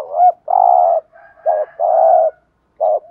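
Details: Decoy spotted dove in a cage, used to attract wild doves, delivering low mellow coos: a short note, a long held coo, another short note and long coo in quick succession.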